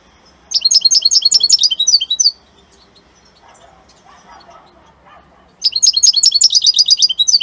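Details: European goldfinch of the Italian kind singing: two loud bursts of rapid, tinkling twittered notes, each run lasting about two seconds, separated by a quiet pause with faint low rustling.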